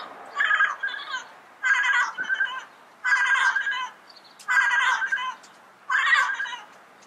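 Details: Five loud, raucous squawks from a yellow-headed parrot in the wild, each a harsh double-part note, spaced roughly every second and a half in a calm natural setting.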